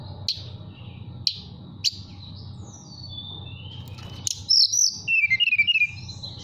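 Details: Caged mountain tailorbird in Purworejo, Central Java, singing flute-like to call a female: a few sharp clicks and faint high whistles, then a loud bright burst ending in a descending string of quick high notes, with a low background hum.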